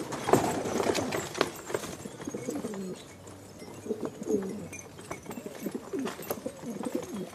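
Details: Several Filo pigeons give low, throaty coos that rise and fall in short rolling phrases, repeated and overlapping throughout, with occasional sharp clicks and rustling.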